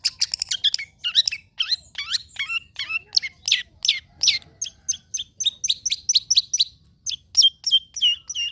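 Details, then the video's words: Long-tailed shrike singing, a recording to prompt silent birds to sing: quick, varied run of sharp chips and sweeping notes, some downslurred, others brief and clipped, almost no background noise. "PANCINGAN CENDET SUSAH BUNYII, DIJAMIN GACOR DENGAR SUARA CENDET INI"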